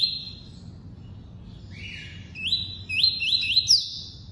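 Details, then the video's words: Tuí-tuí song of a double-collared seedeater: a level high whistle, a lower sliding note, then a quick run of three rising, upslurred whistles with sharp attacks, ending in a longer steady tone. "COLEIRO FLASH ENCARTE (TUÍ-TUÍ)"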